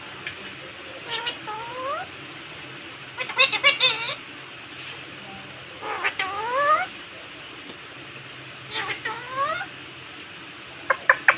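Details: Indian ringneck parakeet, a pet, vocalizing in front of a mirror: clusters of quick rising whistled sweeps and clicks with pauses between them, over a steady low background hum.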